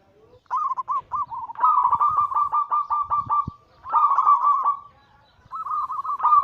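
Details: Anggungan song of a zebra dove of local and Bangkok-cross stock, used to provoke singing and to lure birds. Rolling, pulsed coos come in three phrases separated by brief pauses.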